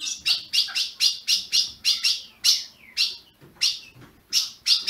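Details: Ultramarine grosbeak bred in captivity in Brazil, heard as a warm-up for caged birds. Clipped high chirps repeat about twice a second, with a small falling slur after the middle and a short gap before the final notes.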